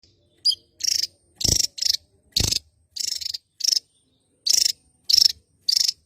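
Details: Javan tesia, an endemic bird of Java island, singing actively: loud, harsh, buzzy bursts high in pitch, each under half a second, in an uneven series of about nine with short gaps.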